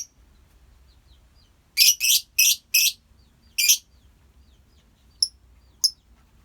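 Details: Colony lovebirds give a tight cluster of five harsh, piercing shrieks in under two seconds, then a pause and two short sharp high chirps.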